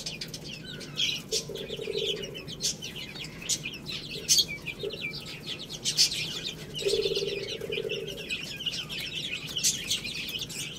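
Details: Several young chicks feeding on rice, giving many overlapping high peeps and chirps, with scattered sharp pecking clicks and a low steady hum; two brief mid-pitched buzzing sounds occur near two and seven seconds.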